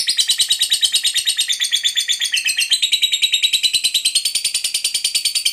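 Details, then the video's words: Lovebird delivering the long chatter meant to lure other lovebirds: dense, unbroken stream of piercing chirps, roughly three per second, steady throughout. "Suara Burung Lovebird Ngekek Panjang Memanggil"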